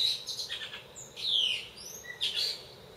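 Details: Brown-eared bulbul singing at dawn, around 4:20, from a home balcony where it sings every morning; loud shrill squealing notes, slurred downward and upward sweeps in quick bursts with short gaps, quiet background.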